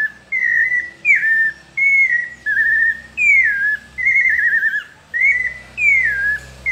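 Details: Pale-breasted thrush (sabiá parda, paulista style) giving a melodious song: clear whistled phrases near one pitch, each about half a second with wavering or down-slurred notes, following one another with short gaps, over faint low background hum.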